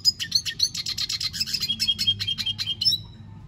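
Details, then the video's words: Fast, high twittering from a red siskin, about a dozen rapid buzzy notes per second for three seconds, ending abruptly with a thin whistled note. Low hum underneath. "Pintassilgo da venezuela cantando muito - Suara Burung Red siskin"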